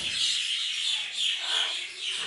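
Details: Common hill myna, a chatty mimic kept in a zoo bird garden at Upie in the Drôme, France, gives a continuous loud, rasping, hissy screech that swells and fades over about two seconds.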